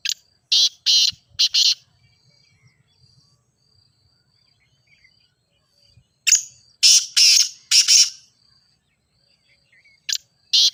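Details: Grey francolin (teetar) call used to train captive birds and prompt them to sing, loud, harsh, ringing notes in quick bursts of three or four, in phrases separated by pauses, over a faint steady high hum.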